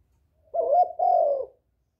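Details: Spotted dove call meant to lure other doves: a pair of husky coos, the second longer and sliding downward, in a quiet setting.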